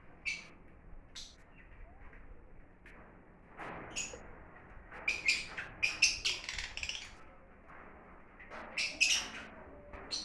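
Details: Lovebirds, kept as exotic birds, giving scattered shrill, high chirps and squeaky bursts, clustered in quick runs mid-way and near the end, over a steady low background hum.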